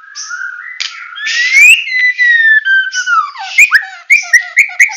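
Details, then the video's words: Medan White-rumped shama singing in full 'tembakan' style: long drawn whistles sliding up then gently falling, followed by a sharp snap and a series of short clipped rising notes. "Murai Batu Medan Full Tembakan"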